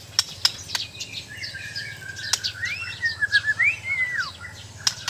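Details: White-rumped shama from Borneo (Sabah) in mental training, giving a soft, sweeping whistled phrase that rises and falls, with sharp clicks scattered through and a steady low hum behind.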